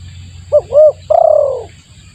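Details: Lure call of a spotted dove for drawing in birds. Two brief arched coos lead into a drawn-out, slightly rough coo that falls in pitch. A steady low hum runs beneath.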